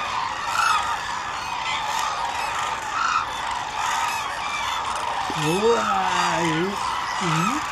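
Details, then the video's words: A large flock of hooded cranes at the Izumi Crane Observation Center, Kagoshima, Japan, on 7 March 2018, fills the air with a dense, steady chorus of overlapping bugling calls; a man exclaims near the end. "ナベツル Hooded Crane"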